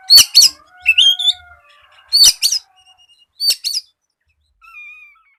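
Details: Oriental magpie-robin singing, meant as a lure to prompt other magpie-robins to sing: a few loud phrases of sharp clicks and a rising whistle, with long plain whistled tones between them and a soft, lower whistle at the end.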